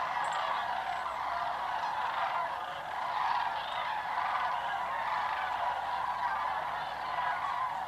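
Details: A large migrating flock of sandhill cranes flying low and swirling overhead on their route south across Georgia and Tennessee toward wintering grounds, calling at once: rolling, trumpeting rattles blending into a dense chorus that swells and fades.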